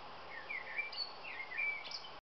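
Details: Song of a male common blackbird, short fluty whistled phrases gliding up and down with a few higher thin notes near the end, heard over constant hissing background noise.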